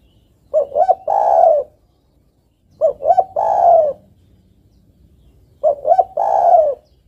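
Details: Female spotted dove calling to the male, a recording meant as a lure for trapping. Three cooing phrases, each opening with two short notes that run into a longer, rolling low coo, repeated roughly every two and a half seconds against a quiet background.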